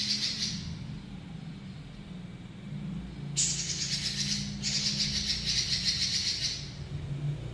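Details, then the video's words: Robin delivering the long rolling song called ngeroll panjang: short rattle bursts, a pause, then a sustained shrill buzzy trill of about three seconds with steady pulsing; noticeable low-pitched hum in the background. "BURUNG ROBIN NGEROLL PANJANG"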